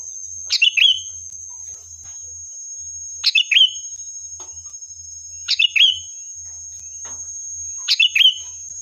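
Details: Lure song of a sooty-headed bulbul, used to draw an answer from other birds: four brief chirpy phrases, each a rapid burst sliding into a level whistle, repeated roughly every two and a half seconds over constant high hiss.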